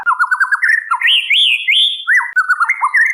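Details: Calling female white-rumped shama, recorded as a lure for the male: a fast looping trill, then smooth rising and falling whistled notes, ending in quick warbled phrases.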